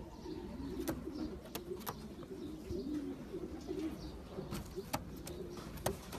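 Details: Cooing from champion racing pigeons bred for long-distance racing. Low, rolling coos repeat and overlap continuously, broken by a few sharp tapping knocks.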